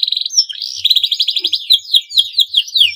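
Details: Male canary in breeding condition, singing to stimulate rival canaries into song: fast trills of repeated high notes, buzzy rolls and quick down-slurred whistles, all high-pitched and continuous.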